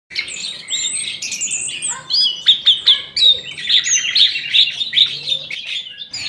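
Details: Birds singing in an aviary in the morning: overlapping whistled and chirping phrases, with a run of sharp repeated notes in the middle and fainter twitters behind.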